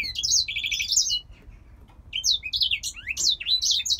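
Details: High, sweet warbled phrase from a captive male grey singer finch originating in Poland; a trilled opening, a short pause, then a fresh burst of varied twittering notes.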